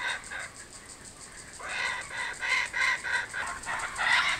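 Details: Returning kookaburras calling: quiet scattered notes at first, then a fast run of raspy, evenly spaced cackles building toward the end.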